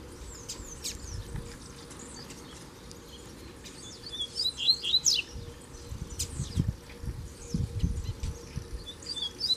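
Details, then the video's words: Double-collared seedeater, a kept male taken into the bush, dueling with a strong, wild, black male. Thin, high, rapid chirps and slurred whistled notes come in bursts, over steady low rumbling noise. "Casal de Coleiro na Puxada de Fibra no Mato"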